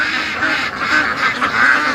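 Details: A flock of domestic ducks, confined to a pen during a lockdown against a fox, quack all day in agitation and displeasure, in a steady, overlapping chorus of harsh, nasal calls without pauses.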